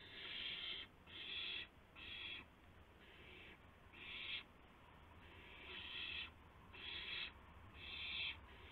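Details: Owl calling at night, 12:25 AM on 7 April 2016, during a gopher prey delivery with flapping and pouncing; harsh broadband hissing bursts of about half a second, repeated roughly once a second, about nine in sequence.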